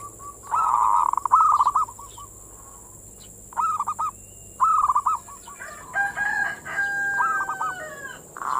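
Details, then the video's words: Perkutut, or zebra dove, in manggung song meant to lure and excite other local doves: several separated bursts of rolled, stuttering coos, with a harmonic call from another bird near the end and a constant high-pitched hiss. "the sound of the turtle dove is a mental lure,suara perkutut pancingan mental birahi"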